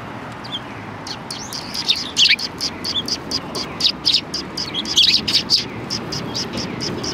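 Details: A flock of sparrows coming out to greet a person behind a Tenmangu shrine on 25 February 2020, giving bright, high chirps in quick overlapping bursts, thickest midway, with a quiet background.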